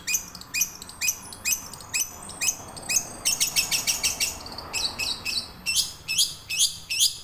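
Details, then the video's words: Young long-tailed shrike from the wild, its song used as a lure to make caged shrikes sing; harsh chattering notes sweeping down from high pitch, repeated about twice a second, with a faster rattling burst midway. "Cendet ngerol buat pancingan burung cendet macet"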